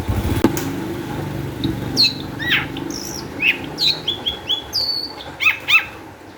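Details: Long-tailed shrike singing with high emotion, used to prompt other shrikes to sing: after a sharp knock and low rumble, a string of chirps, buzzy slurs and high whistles, ending in paired harsh downward notes.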